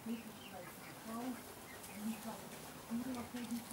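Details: Indian Fantail fancy pigeons (Columba livia domestica) in Alkmaar, Holland: low, hummed coos at a steady pitch, each under half a second and coming roughly every second, with fainter higher chirps from other birds behind.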